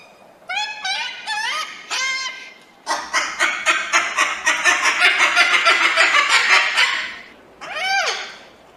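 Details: Crested cockatoo opening with four short, rising squawks, then a rapid harsh chatter of many rasping notes, closing with a long falling shriek.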